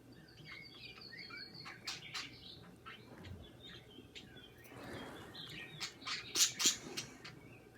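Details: Pet budgerigars chirping indoors: scattered short warbled and whistled notes, some upward-sweeping, mixed with sharp clicks and a brief rustle midway, over a steady low background hum.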